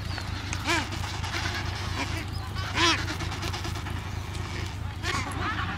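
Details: Adélie penguins at a breeding colony of some 150,000 pairs on Paulet Island, Antarctica, 1 February 2019: harsh, harmonic braying calls rise and fall at about 0.7, 2.8 and 5.2 seconds over a steady low rumble and colony murmur.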